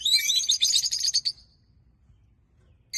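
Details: A small flock of five peach-faced lovebirds (bright olive, pale olive and three lutino) chatter in a dense burst of shrill, high chirps and squeaky twitters for over a second, then fall quiet before another sharp chirp.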